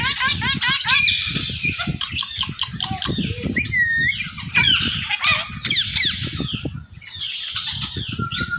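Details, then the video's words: Indian ringneck parakeet kept as a talking bird, giving rapid chattering squawks, looping whistled slurs and brief voice-like phrases over steady low knocking and rustling noises. "Talking Ringneck Gorgeous style | Bolnay Wala tota Urdu/ Hindi"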